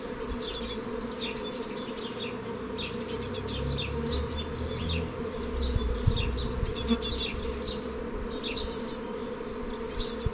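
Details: Fledgling great tits leaving a nest box on 14 May 2017 give thin, high chirps in quick, irregular bursts, set against a steady, loud buzzing of insects.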